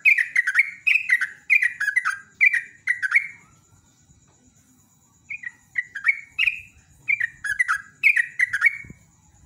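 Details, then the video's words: Yellow-vented bulbul singing the rapid 'ropel' song used as a lure to prompt birds to sing: fast strings of bubbly, slurred, gurgling notes in two bursts separated by a brief pause, over a constant faint high-pitched whine. "JOGJOG /TRUCUK ROPEL NEMBAK GARUDA"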